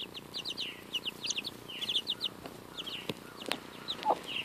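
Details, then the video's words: Two-week-old chicks feeding on a strawberry give bursts of high, sliding peeps over a busier background of pecking knocks and scuffling. "Adorable Baby Chicks Eat a Strawberry!"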